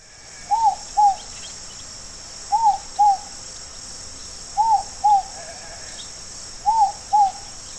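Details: Inca dove (Columbina inca) giving soft, two-note coos, a pair every two seconds, with a steady high insect drone behind.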